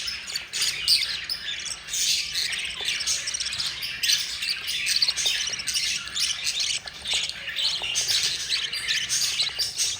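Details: Four budgerigar chicks begging while their yellow mother budgie feeds them: continuous raspy, scratchy high-pitched chatter in dense overlapping bursts, swelling and fading without pause.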